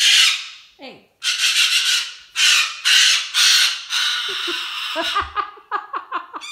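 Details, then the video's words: Pet cockatoo indoors in a hormonal temper tantrum, screaming harshly in long, loud rasping bursts that break into short choppy squawks toward the end. "Cockatoo Turbo having a hormonal temper tantrum"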